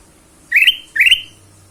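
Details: Ruby-throated bulbul song used as a lure to make other birds sing: two bright, rising whistled phrases in quick succession, each sliding upward and then fading, over a faint low hum.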